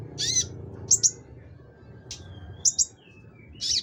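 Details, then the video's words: Konin singing gacor: scattered high chirps, paired sharp notes and one buzzy burst, separated by pauses, with a faint thin whistle between them and a low background hum throughout. "konin gacor"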